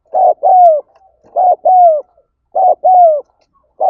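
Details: Spotted dove cooing to lure other doves, with loud two-part phrases, brief then long and gently descending, repeated about every one and a quarter seconds.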